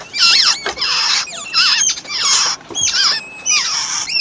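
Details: Wild babbler chicks being fed and guarded by a parent; loud, harsh, noisy squealing calls with high whistled sweeps, in bursts about every half second to a second, rising and falling, filling the whole stretch.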